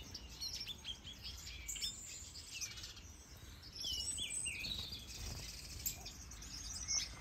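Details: Captive mixed birds, such as goldfinches, gouldian finches, canaries and turacos, in a large planted Danish aviary during breeding. Many thin, high tweets and brief warbled phrases overlap, growing a little louder midway.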